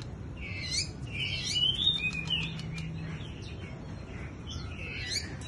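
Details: Bush lark in wing-fluttering display, giving bursts of bright, twittering chirps and warbled whistles in quick phrases with brief pauses, against a constant low hum.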